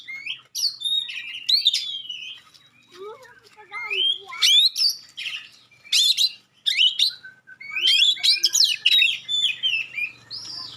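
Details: Oriental magpie-robin with sharp, clear song provoking other magpie-robins: varied whistled slurs and chattering bursts, including a low mellow warble, with short pauses and a faint low hum.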